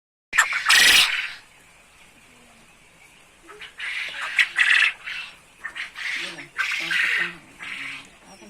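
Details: Quail in 'gacor ceketer' singing form, ready for contest hanging: a loud harsh burst, then a run of short raspy chattering notes in quick succession, with low voices murmuring underneath.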